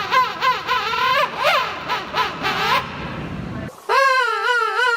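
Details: King penguins in a huge colony give loud, trumpeting calls with rapid warbling pitch wobbles, several voices overlapping before one strong, steady wavering call; each bird has its own vocal signature so partners and chicks recognize each other.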